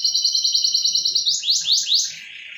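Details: Lure song for a canary that has stopped singing: a fast, even high trill gives way to four loud, sweeping rising-falling whistled notes, then a softer fading rasp.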